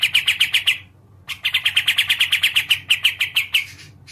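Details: Kapas tembak, a songbird kept by Indonesian bird fanciers and related to the cucak jenggot, played to prompt quiet birds to answer. Rapid bright chirped notes run in quick bursts of about ten. A short pause splits two runs.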